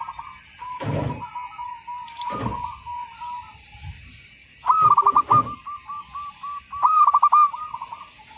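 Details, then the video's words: Actively singing local Zebra dove, a master recording for training: a low wavering coo broken by thumps, then two loud stuttering phrases of rapid rolled notes trailing into softer coos. "Perkutut Lokal Gacor, Masteran"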